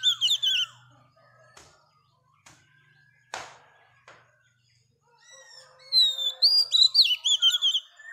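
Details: Singing female Oriental magpie-robin, whose song is meant to stimulate males. Loud whistled notes open, followed by a quiet gap with several sharp knocks or clicks, then a lively run of high, varied whistles and trills.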